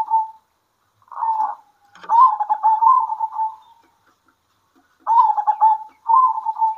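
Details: Midday song of local zebra doves calling back and forth: a short coo, then a long trilled, rippling phrase that fades out, a pause, and two more purring phrases, with one sharp click.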